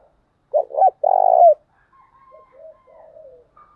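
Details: Spotted dove lure call used to bring in wild doves, thúc gù and gáy gọi styles: a pair of quick hollow coos and a long vibrating coo, followed by quiet wavering gurgles.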